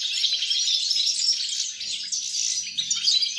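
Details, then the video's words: European goldfinch singing, recorded 29 December 2022: a short burst of fast, liquid twittering with high tinkling notes packed closely together, continuous from start to finish over a faint low hum. "Chardonneret , El jilguero , bird , cardellino pezzato , GOLDFINCH SONG"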